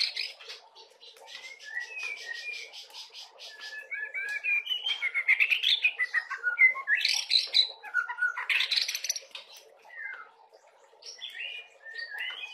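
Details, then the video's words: White-rumped shama juvenile, fill-in song: soft chattering at first, then varied short whistles, upward slurs and loud buzzy bursts, easing to sparse notes near the end. "Murai Batu Trotolan suaranya udah kaya gini isiannya"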